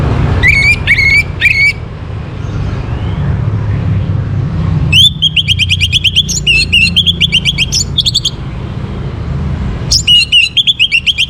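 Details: Orange-headed thrush singing in the morning, a recording meant to raise breeding condition in kept birds: short whistled notes, then a fast string of rich repeated phrases, over steady low rumbling background noise.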